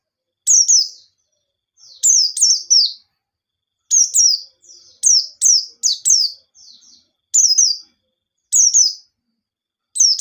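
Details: White-eye pancingan song, ngalas nembak style, meant to trigger singing in other white-eyes: a steady series of high, falling double chirps roughly every second or so, with faint softer notes between phrases, otherwise silent.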